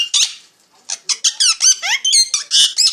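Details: Parrot chirping: one shrill note, a short pause, then a fast run of squeaky, warbling chirps, about two per second.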